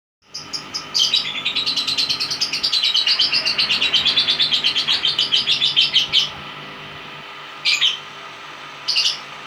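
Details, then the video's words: Balibo lovebird giving a long ngekek chatter: a dense run of rapid, evenly pulsed high chirps lasting about five seconds, followed after a pause by two short chirp bursts. "love bird balibo ngekek panjang"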